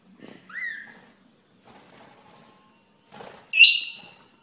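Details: Rainbow lorikeet parrot: a short rising whistle early on, then quiet rustles and a sudden loud, harsh, layered screech that fades quickly.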